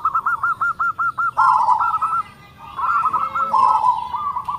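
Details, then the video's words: Zebra dove of a local strain, its big voice with tightly packed notes said to draw replies from other doves: eight evenly spaced clipped coos open, then rolling trilled cooing, a short pause, and more rippling coos. "PERKUTUT LOKAL SUARA BESAR NADA RAPAT MANTAB, YANG LAIN PASTI NYAUT"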